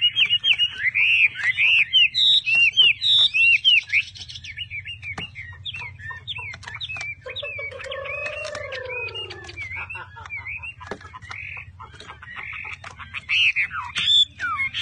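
A Chinese hwamei pours out loud, rich whistled phrases, rapid slurred notes rising and falling, with a lower drawn-out slurred note midway; a low hum underneath.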